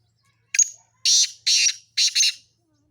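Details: Sindhi black francolin, from a set of mixed male and female calls: a loud, harsh, grating call of one short buzzy note followed by two paired rasping bursts, evenly spaced, clean against a silent background.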